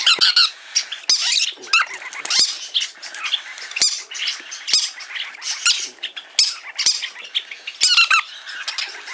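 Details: Green-cheeked parakeets kept as tame pets at a shop in Fukuoka Prefecture, Japan, give a steady stream of grating, screechy calls. Short loud bursts come every second or so, with softer chatter between them, indoors.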